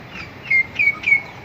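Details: Myna raising its young. Three short, clear whistled notes at a steady pitch come about a quarter second apart over faint background hiss.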